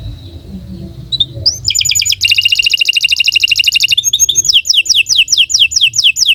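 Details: Canary performing long song as a training master: soft notes, then a dense, buzzy rolling trill, followed by a string of sharp descending whistles about three per second.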